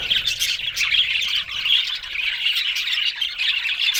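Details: Budgerigars' loud squawks and chirps pour out in quick bursts, several bright squeaky notes cutting through a steady twittering chorus.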